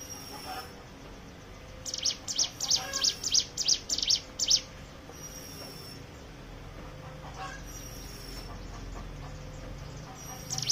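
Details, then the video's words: Hill prinia lure song meant to start other birds singing; a short burst of about ten high, thin chirps, then faint background noise. "pancingan ciblek gunung bahan ombyokan"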